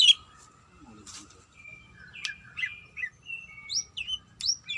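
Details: Greater green leafbird, a female calling to a male: soft, scattered high whistles and thin, sliding notes, some drawn out and level and others quick upslurs, over a low background rumble.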